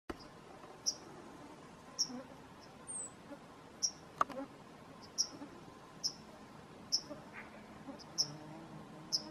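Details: Fledgling bunting giving short, thin, very high ticks, spaced roughly a second apart and fairly even, over a steady soft background hiss.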